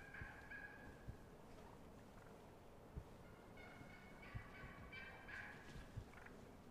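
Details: Wild turkeys on a spring morning in the woods, 25 March 2018, hens yelping around roosting time with gobbling in the background; harsh rattling bursts of calls come at the start and again in a longer series midway, over low thumps and hiss.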